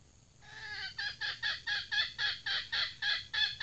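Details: A captive red junglefowl decoy hen gives a drawn-out harsh note, then a fast run of about a dozen raspy clucks, roughly four per second.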